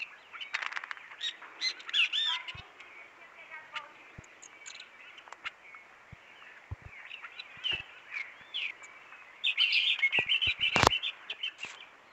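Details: Azure-shouldered tanager singing in the wild in the bush: bursts of squeaky, high chirped notes delivered in quick, uneven runs, loudest early on and again near the end, with scattered sharp clicks and a quiet natural background.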